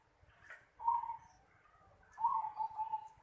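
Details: In a house yard, a zebra dove gives two short phrases of quick, purring coo notes at an even low pitch, the second phrase longer and more broken, over faint background hiss.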